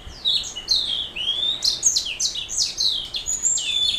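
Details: Canary hybrid mule with a black throat singing a fast series of sharp descending notes about once per beat, mixed with long whistled tones and high trills.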